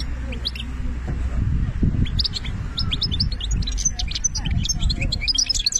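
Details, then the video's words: Algerian European goldfinch in benna song style; scattered sharp tweets and short twitters that build into quicker phrases later, with a constant low hum and faint background murmur. "ذوق البنة للحسون"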